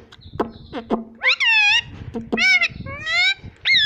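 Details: Talking pet parrot repeating "Mummy": short clicking sounds, then a run of loud, bright, harmonic syllables that arch up and down, close together over about four seconds indoors.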